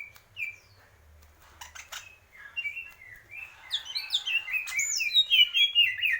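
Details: Greater green leafbird: a single whistle and quiet stretch, then a building outburst of rapid high twittering and whistled trills toward the end.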